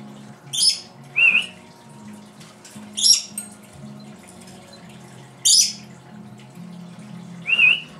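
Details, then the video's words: Pet female lory indoors, imitating sounds her owner makes and adding a few of her own: sharp high squawks alternating with short wavering whistled notes, about six bursts spread across the stretch, over a low steady hum. "the talking Lory"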